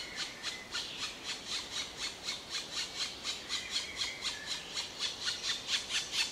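Black woodpecker giving a steady series of harsh, rasping notes, about two per second, high and scratchy, with a faint thin whistle in the background.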